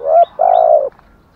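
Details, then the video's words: Spotted dove giving a short kích bổi coo: one brief low note, then a longer even coo that trails downward, loud and clean. "tiếng chim cu gáy kích bổi, cu cườm giọng thổ thúc gù, cu cườm thúc gù hay"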